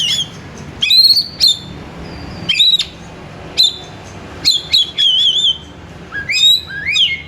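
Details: Song of a kacer, the Oriental magpie-robin, played to call and stir another kacer to sing: sharp rising whistles and clicks in quick bursts, a warbled trill, then rising slurred phrases.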